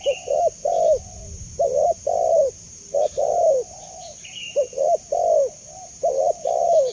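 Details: Spotted dove calling repeatedly in a steady rhythm: pairs of short coos lead into longer, downward-bending coos, cycling about four times. A steady high hiss runs throughout.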